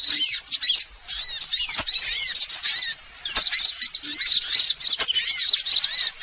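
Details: A lure for all sunbird types: dense, shrill, high twittering from many chirping voices, with arched slurred notes below and brief dips near one and three seconds.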